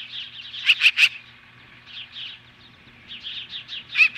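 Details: Osprey confronting magpies at the nest, Hellgate Canyon near Lolo, Montana, mid-morning on July 15, 2015: three loud piercing whistled yelps in quick succession, then a run of softer chirps and a final sharp yelp.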